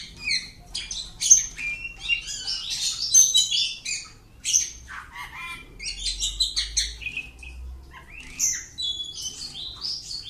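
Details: Oriental magpie-robin kept at home giving a long, varied, high-pitched song of sweet whistles, sharp chips and quick trills in loud bursts separated by short pauses, with a low rumble in the background partway through.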